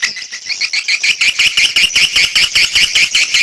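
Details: Swiftlet lure call: a rhythmic series of high, buzzy chirped notes, about two and a half a second, evenly pulsed over a twittering background.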